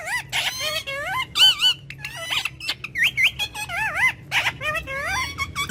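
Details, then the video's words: A pet Indian ringneck parakeet named Romeo talks in Urdu/Hindi in a courtyard, in quick, high, squeaky phrases: a string of warbled word-like syllables rising and falling in pitch over several seconds. "Ringneck Parrot Talking"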